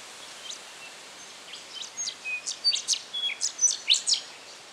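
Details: Rufous songlark recorded in Victoria, Australia, in September 2011. A quick run of bright, sharp, high chirps and scratchy notes starts softly, then builds into about a dozen louder, closely spaced notes over the last three seconds against a light background hiss.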